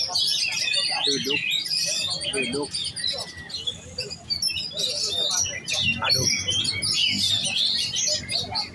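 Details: Oriental magpie-robin, locally kacer, giving giras contest-style song: fast, varied high chirps, trills and whistled phrases, briefly interrupted by lower clucking notes, over a low hum.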